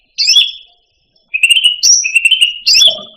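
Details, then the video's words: Song of a cucak rante, a pet songbird: a sharp high whistled note, a pause, then a run of buzzy trilled phrases broken by higher slurred notes. "Suara Burung Cucak Rante"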